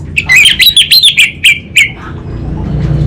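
Orange-headed thrush giving a quick burst of about eight sharp, slurred whistled notes in under two seconds, then a low rumble of background noise.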